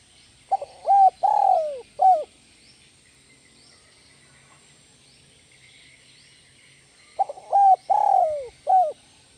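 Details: Spotted dove in the 'kuk 1 melambung' song style, giving two identical phrases of short hollow coos around one long descending coo, spaced several seconds apart over faint background hiss.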